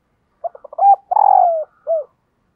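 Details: Spotted dove kept as a decoy to attract wild birds coos once: a stutter of short soft notes, a clear level coo, a long vibrating note falling in pitch, and a final brief descending coo, with no other sounds.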